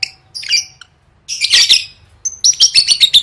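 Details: Lovebird in gacor training for gantang singing competitions: high raspy chirps, a dense buzzy chattering burst at mid-clip, then a run of sharp repeated twittering notes, with a faint low hum underneath.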